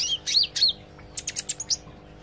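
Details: Olive-backed sunbird learning to sing: loud, high slurred whistles followed by a quick series of about six sharp, bright chirps. A quiet background hum underneath.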